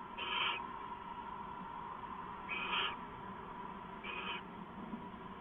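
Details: Nighttime owl sounds, 2 September 2014 near midnight: three short, rasping hiss-screeches spaced roughly every two seconds, rough and toneless, against a constant low hum.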